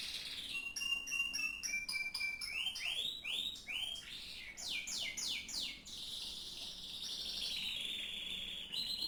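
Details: Canary in full song: fast clicking trills, a run of looping downward-curving whistles, then high rapid rolling trills ending in a sustained buzzy phrase.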